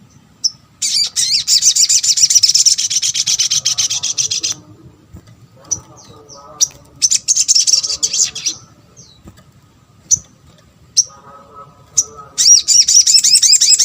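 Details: Sunbird, known locally as sogok ontong, singing a lure meant to prompt quick replies from other sunbirds: long bursts of very high, rapid, sputtering trills broken by pauses and isolated thin chips, with faint low background noise.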